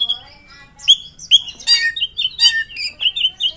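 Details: Drongo singing in Indonesia: wavering whistled phrases, then loud harsh rasping notes alternating with bright slurred chirps in a rich, varied sequence.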